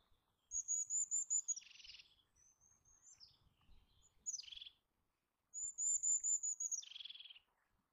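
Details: Eurasian jay repeatedly uttering a rapid string of high stuttered notes that drops into a rough, buzzy rasp, the sequence heard three times over about eight seconds.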